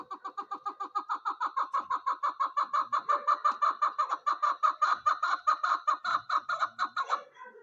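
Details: A female chukar partridge gives a fast run of harsh, clucking notes, about five per second, rising into a steady rattling chatter that holds for several seconds.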